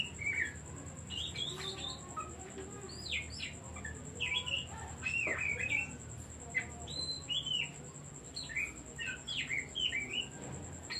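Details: Oriental magpie-robin delivering a long, lively song used as a decoy to get other birds singing: rapid varied whistles, chirps and looping slurred notes in dense phrases with short pauses, over a constant thin high tone.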